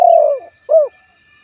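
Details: Spotted dove giving a soft, low coo: a drawn-out falling hoot, then a short rounded second note after a brief gap, against a quiet hissing background.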